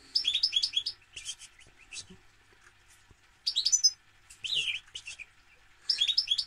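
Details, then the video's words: Goldfinch song in several quick bursts of bright, tinkling twitters and slurred whistles, each burst under a second long, separated by brief silences; a faint steady hum sits in the background. "Goldfinch - Jilguero"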